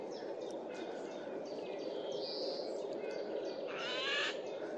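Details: Loud call of a Eurasian jay in a forest in mid-April, heard as it flew from tree to tree: a single rough, grating screech late in the clip, preceded by faint thin notes from other birds.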